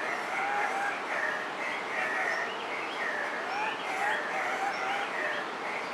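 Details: Andean cock-of-the-rock males displaying at a lek to attract females: overlapping nasal, upslurred squeals repeat in a steady chorus, with a few clear lower whistles mixed in.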